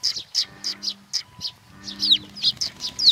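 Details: Sparrows seeking food at Tenmangu, Nakanoshima, 21 June 2020, chirping in an irregular series roughly once a second, then faster excited notes, with a low humming drone in the background.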